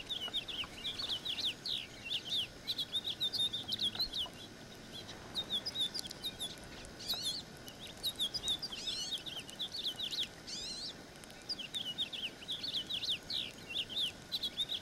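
A house finch sings long, rambling warbles of quick high chirps and slurred notes in bursts a few seconds long, with brief pauses between phrases.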